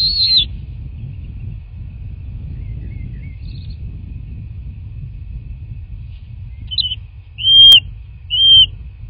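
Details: Bald eagle at its nest in a quiet rural landscape of southwest Florida, recorded by a nest camera, 9 March 2024 in the morning; a few brief, thin, high whistled chirps, the last two louder and closer together, over steady low rumble.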